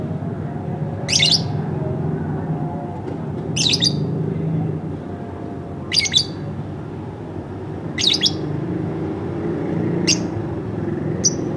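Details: Pet lovebird kept at home giving sharp, high, harsh chirps, each a quick downward streak, repeated about every two to three seconds over a steady low rumble of background noise.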